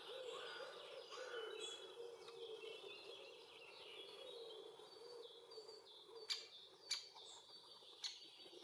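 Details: Great spotted woodpecker (Dendrocopos major), young male with its mother at a tree hole shared with bees in Puszcza Bydgoska forest, Bydgoszcz, Poland, June–July: sharp loud 'kik' notes, three spaced a second apart near the end, over chattering and buzzing bees.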